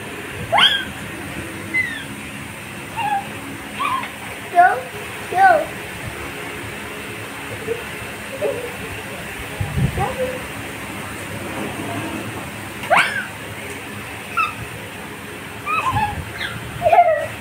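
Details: Cockatiel (Nymphicus hollandicus), agitated calls: showing annoyance during play.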